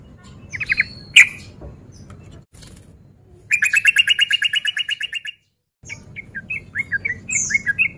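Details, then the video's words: Breeding male yellow-vented bulbul, played to provoke other males to fight: a few chirps, then a long, fast, rattling trill of repeated bright notes for nearly two seconds, followed by scattered chattering. "Pancingan Trucuk Gacor Ropel Garuda Over Birahi"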